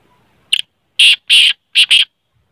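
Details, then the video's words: Black francolin (kala teetar) gives a loud, harsh, grating call: a soft click, then four rasping notes in quick two-part bursts over about a second. "kale teetar ki awaz"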